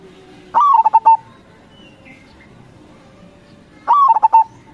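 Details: Zebra dove of a local type, used as a calling lure for other local doves: two identical cooing phrases about three seconds apart, each a bright slurred opening note followed by rapid rolling coos and a sustained final note.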